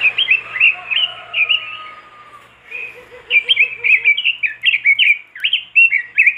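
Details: Robin in vigorous song as a master recording to get other robins singing: warbled phrases, a pause with a soft low rapid chatter, then an unbroken stream of fast, sweet, slurred notes rising and falling.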